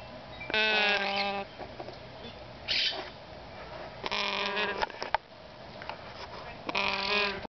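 Yellow-naped amazon chicks give harsh, raspy, bleating squawks in four bursts, each about a second long, with a faint low background hum.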